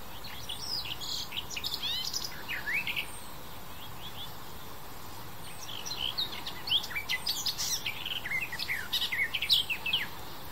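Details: Garden warbler (Sylvia borin) sings a rapid, mellow, bubbling warble in two long runs of quick varied notes, over faint low background noise. Recorded 28 May 2021 in Landkreis Kitzingen, Lower Franconia, Germany.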